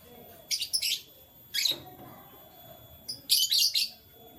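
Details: Morning canary sounds: short bursts of sharp, high, buzzy chirps arriving in four groups, the last a rapid run of several notes, with faint low background rumble.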